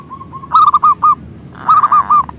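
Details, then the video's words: Local zebra dove with a big voice, singing to lure rivals: soft lead-in coos, then two loud bursts of three or four rapid, rolling, rounded notes. "Perkutut Lokal Gacor suara Besar pancingan perkutut"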